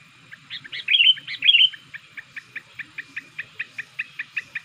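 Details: Young sooty-headed bulbul used as a lure to attract wild bulbuls, already in full song. Two loud, liquid chirped phrases are followed by a long, even series of soft ticking notes, about four each second, against a quiet background.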